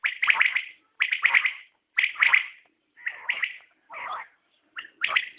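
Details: {'caption': 'Common quail (batair) repeating crisp three-note phrases roughly once a second, with one lower gravelly note near the end.'}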